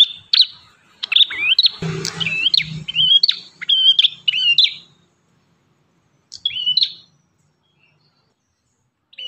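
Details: Ashy tailorbird (prenjak kepala merah) singing actively: fast bursts of sharp, high chirps and short rising and falling whistled notes in quick runs, then a pause and one brief phrase. A faint low hum sits underneath early on.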